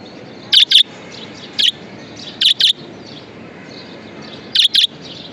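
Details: Pet budgerigar repeating short, piercing high chirps, mostly in quick doubled pairs, with one single note, spaced irregularly about one to two seconds apart over a faint low hum.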